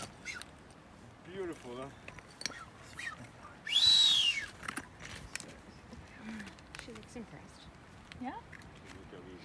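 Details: On the Galapagos Islands, an older male Blue-footed booby courting a younger female who is already sitting on eggs gives one loud, high whistle that rises then falls, lasting about a second, amid murmuring voices.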